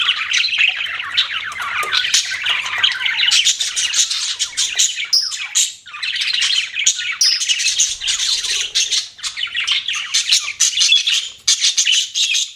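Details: Flock of budgerigars keeping up lively twittering, bright chirps and buzzy warbles crowding together, the chatter dipping briefly and then surging again.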